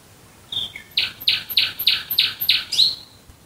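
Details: Nightingale song near Dresden: one pure whistle followed by six loud, harsh, identical notes repeated rhythmically about three times a second, finishing with a rising slurred note.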